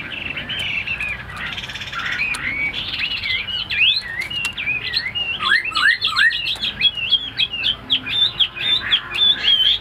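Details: A tame Chinese hwamei kept in a cage builds from soft, hesitant notes into a rapid, loud series of sharp whistled phrases with swooping slurs.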